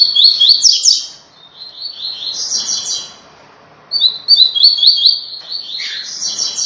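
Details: Captive rusty-collared seedeater sings two fast, bright phrases of warbled, slurred whistles and chirps, high-pitched and run together, with a short pause between, in the "tui tui" song style used for training.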